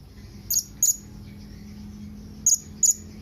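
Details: Blue-crowned hanging parrot calling to its companions: four short, very high, thin shrill notes, a pair near the start and another pair about two seconds later, over a faint low hum.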